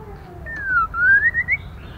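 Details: Female white-rumped shama used to stimulate males: a single descending whistle that turns into a long rising, slightly warbling whistle, ending higher, over a soft low rumble.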